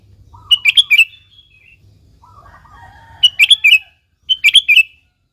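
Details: Sooty-headed bulbul song used as a lure: three bubbly phrases of quick whistled notes, with lower softer warbling in between.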